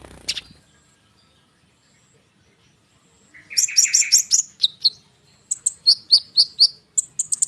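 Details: Konin bird's tight rolling song, played as a lure so sunbirds respond: one sharp note, a long silence, then a rapid burst of buzzy high chirps followed by evenly spaced paired whistles, about two per second.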